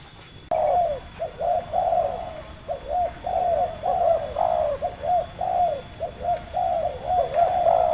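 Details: Local wild spotted dove with a medium-pitched voice, trapped quickly with a lure bird: a steady run of mellow, hooting coos in short arched notes, grouped in rapid phrases repeated for about seven seconds over faint background hiss.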